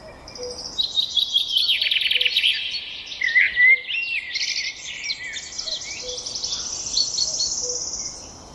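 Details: Birds singing together in a dense, busy chorus of high rapid trills and chirps, with a brief clear whistled phrase in the middle and soft low pips recurring in the background.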